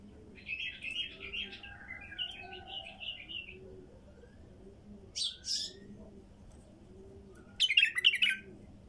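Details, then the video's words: Female bulbul in the wild giving warbled, chattering phrases that rise and fall, then louder bright bursts near the middle and end. A faint low rhythmic throbbing continues steadily in the background. "تغريد بلبل نثيه وحشي"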